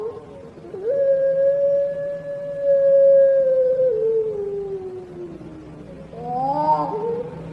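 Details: A champion Barbary dove gives one very long, smooth, melodious coo, held steady for about three seconds and then sliding slowly lower. It ends in a short, wavering rising phrase over faint background hum.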